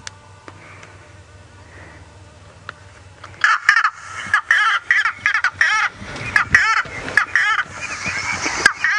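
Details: A White-bellied bustard call of harsh, croaking notes in quick, uneven bursts is played back from a phone after a few seconds of low vehicle rumble on an afternoon drive in the Sabi Sand, South Africa, on 8 February 2018; a wild bustard may have called back.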